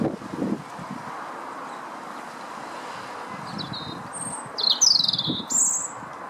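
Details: Lesser redpoll visiting a nyjer feeder in a Howdon garden on 3 May 2016; after several quiet seconds, a short burst of sharp, high chirping notes, some falling in pitch, comes near the end over faint background hiss.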